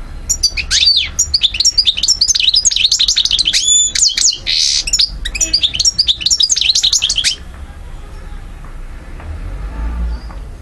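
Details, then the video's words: European goldfinch from Algeria, 2012, pouring out a dense, loud run of rapid twittering and buzzy trills for about seven seconds before falling silent, leaving faint room noise. "Vidéo Carduelis* chardonneret* jilguero* حسون alger ( Algeria) DZ 2012"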